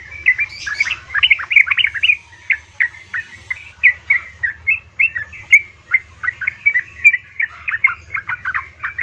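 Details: Yellow-vented bulbul female calling a male, a lure to make caged birds sing: a long series of bubbly whistled chirps, dense at first then evenly spaced, over a constant low hum.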